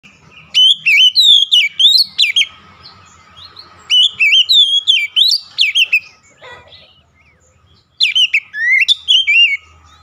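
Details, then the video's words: Oriental magpie-robin song: loud bursts of varied, rapidly repeated whistled notes sweeping up and down, sung in three phrases separated by short pauses, with faint low background hum. "KACER SETRES LANGSUNG GACOR"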